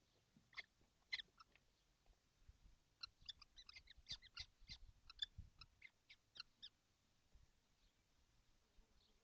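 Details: Seven kestrels crowded in a nesting box on a hot June day in 2025 give a steady run of short harsh notes over a low rumbling background.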